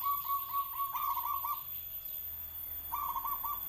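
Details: Local zebra dove (perkutut) giving soft, rolling cooing phrases of quick, bubbling notes that run together, followed by a pause and another short burst of coos.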